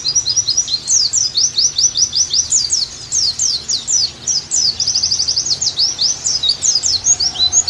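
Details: Oriental white-eye song played as therapy and tutor material to get the bird singing vigorously again: nonstop high, thin twittering of quick downslurred notes in rapid bursts, almost no pauses, with faint background hiss.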